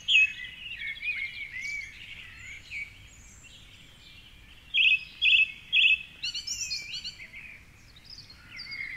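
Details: Sunday dawn chorus in Cork City, Ireland, at 4.45am: a song thrush sings from a tall treetop by the Curragheen River, with varied rich whistles and twitters, then a short note quickly repeated three times, other phrases weaving around it.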